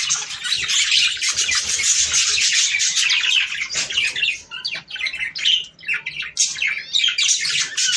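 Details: Budgerigars chattering to prompt mating, busy twittering warble with scratchy squawks, easing into brief dips and gaps midway before the dense chirping picks up again.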